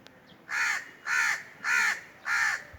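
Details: Four evenly spaced, harsh crow caws about 0.6 seconds apart against a calm background.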